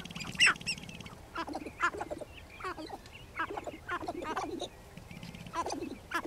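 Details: Several sharp-tailed grouse at a lek near Regina, Saskatchewan, Canada, on 14 April 2012, give short, harsh, quacking clucks and cackles in scattered bursts, about one every second, with faint wind behind.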